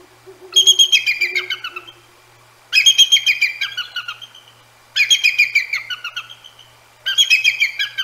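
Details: Nesting Bald Eagle pair at night, 1/18/24, repeatedly telling off two Great Horned Owls: four long bouts of shrill, stuttering chitters that tumble downward, about two seconds apart, with a faint low hoot-like tone near the start.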